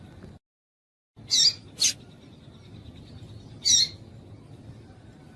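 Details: Papa-capim, the double-collared seedeater, female calling to get the male singing: a quick pair of sharp, high chips, a pause, then one more chip, with faint hum beneath.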